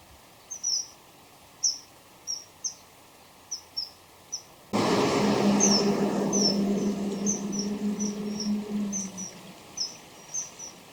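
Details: Common kingfisher song from a male and female calling back and forth close together: sharp, thin, high whistles given singly or in pairs about every second. A loud rushing noise intrudes midway.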